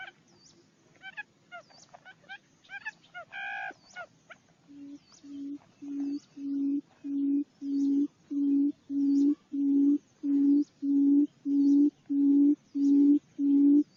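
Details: Barred buttonquail call played as a trapping lure: after a few seconds of other birds' chirps and twitters, a deep hooting note repeats steadily about every 0.65 seconds, growing louder and continuing to the end.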